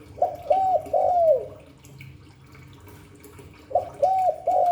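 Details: Spotted dove, Hạp Bổi voice: a quick three-note phrase ending in a long falling coo, about two seconds of quiet, then a new phrase of three rapid hooked coos begins.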